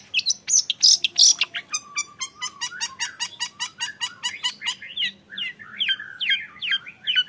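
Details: Young long-tailed shrike opens with loud, harsh high squeals, then a rapid, steady series of clicking, chattering notes with buzzy warbled phrases woven through, almost continuous.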